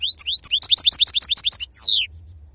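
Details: Wild-type European goldfinch in song: a rapid run of bright, rising whistled notes repeated about eight times a second, ending in a longer descending slurred whistle.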